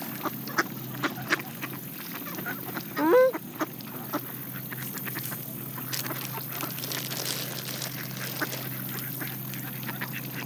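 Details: Canada goose among mallards feeding on seeds gives one loud, sharply rising honk a third of the way through, surrounded by sparse pecking clicks and a faint steady hum.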